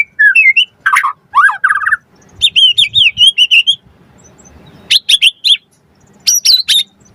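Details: White-rumped shama, a varied song used to provoke other birds into singing and to train them: bursts of whistled and chattering phrases, some sweeping up and down, separated by short pauses.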